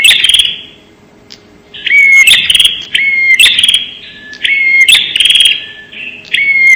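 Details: Bar-winged prinia lure call, locally prenjak: a loud rasping burst, then a run of four or five buzzy phrases, each carrying a short upslurred whistle, in quick succession.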